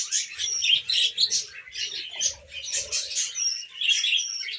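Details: A tame female budgie warbles in a rapid stream of raspy chirps mixed with clear whistled notes, rising and falling in loudness in short bursts.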